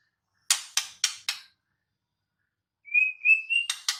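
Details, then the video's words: In the wild, a white-rumped shama gives four sharp clicking notes, falls silent, then whistles a short series of clear, slightly rising notes ending in more clicks. "Kicau KHAS Murai BATU di ALAM LIAR"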